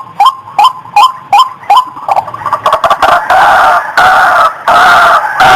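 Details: White-breasted waterhen calling: a series of short, nasal, croaking notes repeated about every third of a second, then building into louder, continuous harsh, overlapping calls with a rough, grating quality.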